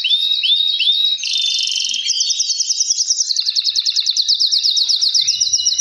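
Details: Male canaries in full song: a few looping whistles, then a long buzzy pulsed trill rolling steadily, other males answering the lead singer; chorus used to encourage breeding.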